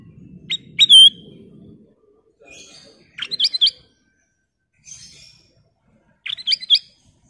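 Ruby-throated Bulbul singing three bursts of clear, fluty, bubbling whistles a few seconds apart, with a faint low murmur at the start.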